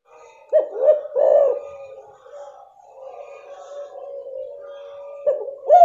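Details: Female spotted dove calling to stimulate a male that has stopped calling; a few short, hooked cooing notes near the start, a low soft murmur, then another coo at the end.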